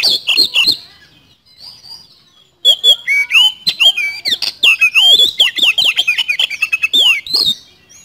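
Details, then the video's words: Oriental magpie-robin in loud, nonstop 'speed roll' song: a few opening chirps, a quiet gap, then a dense torrent of high whistles, metallic trills and downslurred notes delivered very fast for over five seconds. "Pancingan Kacer Gacor Nembak Speed Roll"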